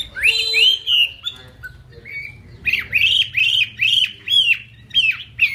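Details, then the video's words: Chinese hwamei in the fanned-tail singing style with eagle-wing display, giving a repeated, evenly paced set of sharp, downward-slurred whistled notes after a few longer opening phrases, with a low hum underneath. "chim họa mi hót xòe, chơi cánh đại bàng"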